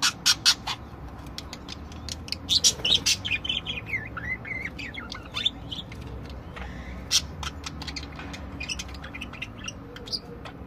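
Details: Different budgerigars singing, opening with loud clicking bursts, then a stretch of wavering whistled notes and harsh chatter, later easing into sparse ticks and soft chirps.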